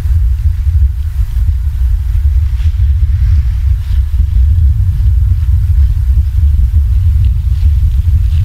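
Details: Steady, heavy low rumble of wind buffeting the microphone, with no animal calls heard.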